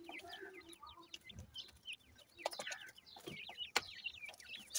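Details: Grey francolin chicks, locally called dakhni or Irani bhura teetar, in a breeding setting: a busy chorus of short, high, downward-slurred cheeping notes from several chicks, overlapping irregularly, with scattered clicks and knocks.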